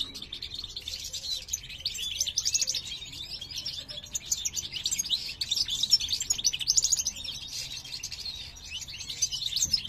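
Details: Caged breeding pair of parva goldfinches, 2023 season: the male sings as the female examines a new nest, producing steady twittering with rising and falling liquid notes that swell louder toward the second half.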